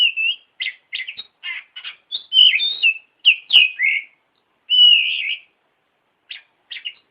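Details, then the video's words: Oriental magpie-robin (kacer) tutor song for training other birds: a series of short, sharp chirps, then louder sweeping whistles and a long warbled note, followed by two faint chirps. "Masteran Burung Kacer"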